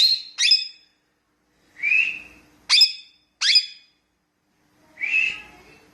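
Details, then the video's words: Talking pet parrot heard in five separated calls: sharp downward-swept chirps alternate with softer, flatter whistled notes, each about half a second long, with clear gaps between them. "Talking Parrot"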